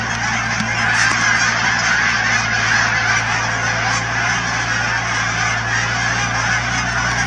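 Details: A massed gathering of Canada geese, thousands strong, at Cheam Wetlands near Chilliwack, BC. Dense overlapping honks carry on without a break over a steady low hum.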